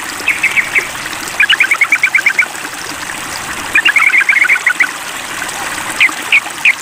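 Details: Sooty-headed bulbul calling a rival, tested for mettle: bursts of quick paired chirping notes, about a dozen per burst, in several groups over steady trickling-water hiss.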